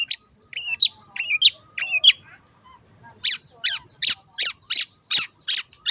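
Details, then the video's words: Long-tailed shrike singing energetically in the wild: a run of paired whistled, warbling phrases gives way to seven evenly spaced harsh, scratchy rasps, roughly one every third of a second. "PANCINGAN CENDET GACOR SUARA BURUNG LIARAN"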